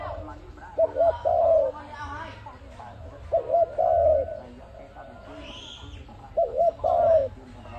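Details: ARIMIX dove calling, recording offered as a trap lure: three phrases, each a double clipped hoot then a longer wavering coo, spaced about every three seconds, with a faint higher sound between phrases.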